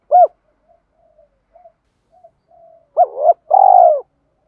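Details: Spotted dove in 'thổ pha thúc' voice, a recording meant to prompt decoy and newly caught doves to call: a single sharp arched hoot, quiet murmuring notes, then a rising double note and a long buzzy throbbing coo.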